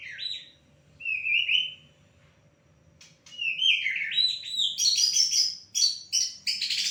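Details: Champion white-rumped shama (murai batu) singing: clear whistled phrases, some sliding and some held, then a burst of richer, higher, rapid notes, separated by short pauses; a faint low hum underneath.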